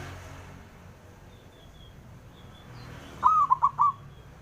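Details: A male local zebra dove sings out to goad rival males into answering. After about three quiet seconds with faint high chirps from other birds, a quick burst of three rounded cooing notes follows, with low hum throughout.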